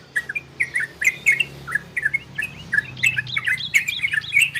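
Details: Orange-spotted bulbul (trocokan) singing in the ropel and garudo styles, played to stimulate breeding condition in listening birds: bubbly whistled two- and three-note phrases, mid-pitched, repeated rapidly and growing busier and louder toward the end, with faint low hum behind.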